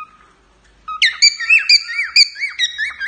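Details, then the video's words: Singing male cockatiel: after a soft low whistle and a pause, a bright burst of sharp whistled notes and rising-falling slurs follows at a quick, uneven pace. "Calopsita Macho cantando para a dona"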